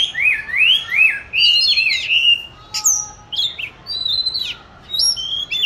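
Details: Captive oriental magpie-robin in training, kept since 29 July 2020 and recorded 22 March 2021: rich, rapid medley of wavering whistles, sharp upslurs and brief high notes, phrases tumbling one after another with short gaps.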